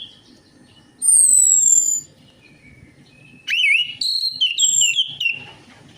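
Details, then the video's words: Singing orange-headed thrush, played as a lure so other birds start singing: a clear, high, slowly falling whistle, a brief lull, then a burst of twisting, looping whistled notes with sharp jumps in pitch. "DENGAN PANCINGAN ANIS MERAH AMPUH INI, ATASI SUSAH BUNYI ANIS MERAH"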